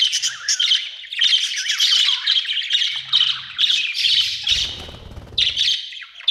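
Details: Budgies chirping, described as Australian birds: nearly nonstop scratchy, warbling chatter with rapid squeaky notes, several birds overlapping, and a brief low rustle near the end.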